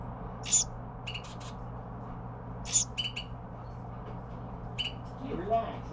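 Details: Carolina wren young at feeding time: scattered high, thin chirps in small clusters, louder notes followed by softer repeated peeps, against a faint low hum.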